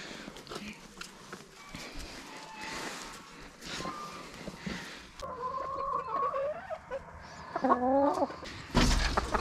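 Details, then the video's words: Laying hens kept at a home plot, heard during the morning feeding: quiet ambience at first, then a few harmonic drawn-out squawks, a quick descending run of clucks, and a loud thump at the end. "Alimentando a mi ejército de gallinas"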